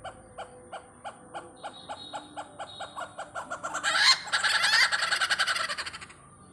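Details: Great hornbill visiting Pathanamthitta: evenly spaced short barks speed up and swell into a loud, harsh, rapid burst of roaring notes, then fade away.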